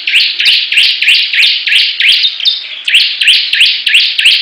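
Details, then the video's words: Competing bar-winged prinias in a loud continuous run of buzzy rising high notes, repeated about three times a second, with a brief whistled note in the middle. "Perang Ciblek Gacor"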